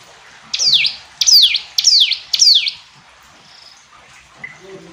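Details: Hill prinia giving four loud, piercing downward-sweeping notes at even intervals, then falling silent. Faint soft background sounds continue afterward.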